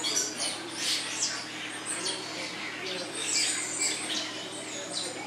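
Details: Blue-naped mousebirds at Vogelpark Walsrode, Germany, give a busy run of thin, high squeaky chirps and whistles overlapping almost continuously, as if several birds call together.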